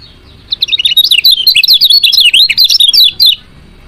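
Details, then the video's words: A female lemon-bellied white-eye calls with quick, shrill, high chirps strung together for nearly three seconds, a sound used to encourage lazy males to start singing. "CIAK KECIAL KUNING BETINA"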